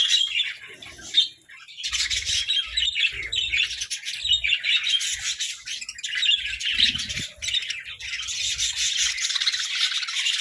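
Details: Budgerigars competing playfully for favourite food give overlapping chirps and warbles; a brief loud click sounds early, then the chatter continues steadily alongside soft tapping noises.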